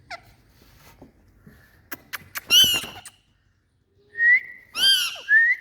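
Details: Indian parrot reported to be repeating "Mithu". Scattered clicks lead into a loud raspy squawk. After a pause come clear whistled tones and more throaty, speech-like squawks.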